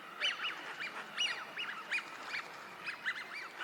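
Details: Several Eurasian wigeons on a park pond in Chiba, Japan, in March 2025, where they winter, give overlapping clear, whistled 'wheeoo' calls that rise then fall, more than once a second.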